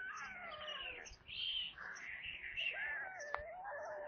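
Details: White storks on their nest in Kaluga region, Russia, calling as food arrives at supper, 22 July 2022, 17:52, via nest camera; prey included a corncrake. Short wavering mews with a louder, higher burst midway.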